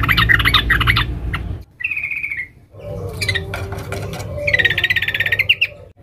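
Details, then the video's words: Female sooty-headed bulbul calling the male, ngeriwik rapat: scratchy chattering notes, a short clear trill, more jumbled chatter, then a long fast rattling trill toward the end. "Suara Trucuk BETINA Memanggil Jantan NGERIWIK RAPAT"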